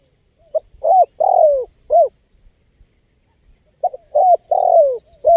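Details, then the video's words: Spotted dove call played for luring wild birds. Two repeated phrases: a brief double note, a level coo, a long coo falling in pitch, and a short closing coo. Faint low thumps sound in the gap. "SUARA LANGKA BURUNG TEKUKUR GACOR PALING AMPUH 2024 UNTUK PIKAT BURUNG LIAR"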